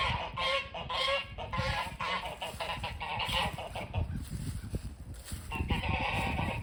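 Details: Geese honk loudly at a front porch in overlapping, nasal bursts, several calls a second at first, then more scattered, over a low rumble of background noise.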